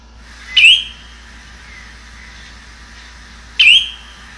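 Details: Spotted redshank (Tringa erythropus) gives two clear, sharp 'chu-wit' ('chiwi') calls, rising at the end, about three seconds apart.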